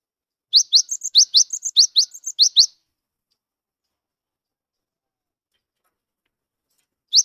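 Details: Wingko-type Cinereous tit, a bird that sings readily though not yet tame, used to start silent tits singing: quick rising whistles and higher chips repeated for about two seconds, then a long silence before another note begins.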